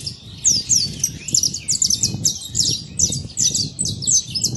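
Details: Wild saffron finch in natural surroundings: quick clusters of high, slurred chirps repeated in short phrases, steady through the clip over faint low background noise.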